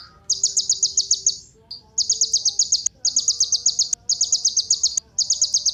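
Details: High, rattling trills from a kolibri ninja sunbird, played to encourage other birds to sing: about five rapid phrases of fast ticking notes, each near a second long, with short breaks and occasional clicks.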